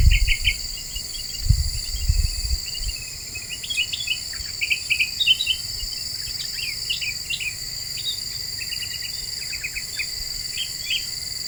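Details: Lively lure song of a Black-winged bulbul, known locally as kutilang emas, meant to agitate other birds: bursts of bright, chirpy whistled notes in rapid clusters, fading later, against constant loud cricket-like insect droning and occasional low thumps.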